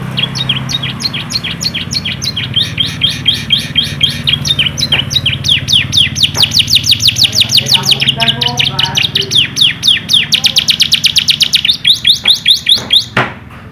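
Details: Yellow canary singing a long, rapid song of high, bright rolling trills and quick repeated chirps over a faint low hum, used for training young canaries.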